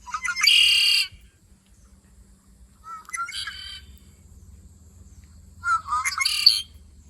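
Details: Red-winged Blackbird gives three 'conk-a-ree' songs, each with short lead-in notes and a harsh, buzzy trill, a few seconds apart over a faint low hum; a species found across Canada.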